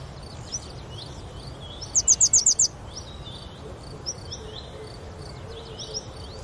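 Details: Moroccan grey wagtail at Oukaimeden, Marrakech, sounds six sharp, high, evenly spaced notes in a tight burst. Scattered faint chirps from other birds and a steady low rumble fill the rest.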